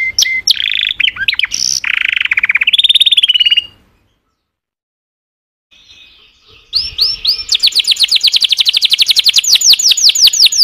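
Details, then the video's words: Canary song opens with mixed rolls and buzzy trills, falls silent for about three seconds, then resumes with a long bright series of rapid downslurred whistles repeated at an even pace. "تغريد كناري Chant Canaris singing canaries"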